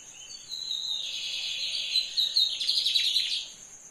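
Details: Brown-plumaged lined seedeater singing a short phrase: a thin high note that swells into a dense, buzzy rattling trill lasting about two and a half seconds, over a steady high-pitched whine in the background.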